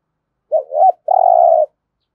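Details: Spotted dove, thúc gù call in the deep resonant 'thổ rền' voice: one phrase made of a short wavering two-note coo, then a long even coo, clean and quiet around it.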